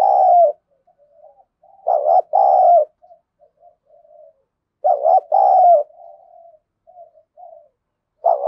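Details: Harsh-voiced thổ sấm-style decoy spotted dove provoking wild doves: loud hoarse double coos about every three seconds, with quiet low murmuring notes filling the gaps between phrases.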